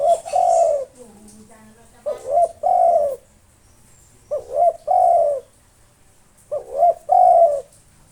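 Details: Spotted dove, a local bird in full song meant to draw out rival birds; paired cooing phrases, a brief lead note followed by a longer throaty coo, repeated roughly every two seconds with a soft low buzz between.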